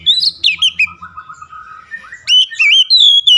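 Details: Oriental magpie-robin, a kept bird, singing loud varied whistled phrases: sweeping slurred notes and quick chirps, a quieter stretch mid-clip, then a strong burst of rising and falling whistles.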